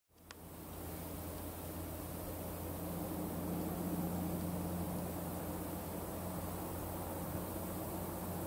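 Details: Steady broadband rushing noise with a low constant hum, like wind or an engine, and no animal heard.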